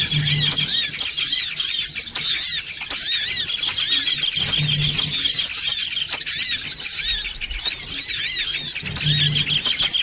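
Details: Crowded, noisy songon otong calling used to attract birds. Shrill, curved chirps pile up in a nonstop high chatter, briefly thinning near the middle, while a faint low hum returns three times.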